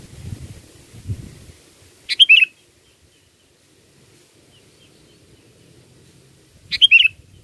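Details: Sooty-headed bulbul used to lure birds for catching: two crisp, bubbly whistled phrases roughly four and a half seconds apart, with soft low rustling before the first phrase.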